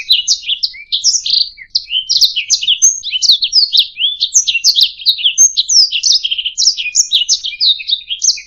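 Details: Canary song recorded as a tutor track for training other songbirds: a continuous, fast, high warble of rapid chirps, trills and short slurred notes, dense and unbroken throughout, with no other sounds.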